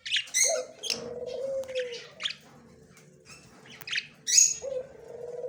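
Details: Yellow male budgerigar, recorded October 9, 2024, giving sharp, scratchy chirps in short bursts separated by pauses, over a low, steady, drawn-out tone in the background.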